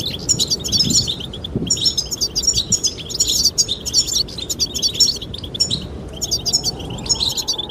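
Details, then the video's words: Goldfinch courtship song for the female: continuous, rich, high twittering and trills, loud and dense throughout, with wind and soft low knocks behind. "the chirping of goldfinches"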